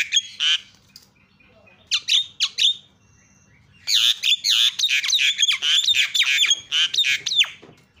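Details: Javan myna calls used as a lure to provoke other mynas into calling: a few harsh rasping squawks, a pause, then a dense run of scratchy, buzzy notes with sharp chips, about three per second.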